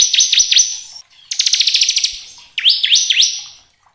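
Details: Bar-winged prinia, crystal type, singing in a continuous rattling style as a lure for other prinias: sharp down-slurred whistles alternate with a fast buzzy trill of even, repeated notes.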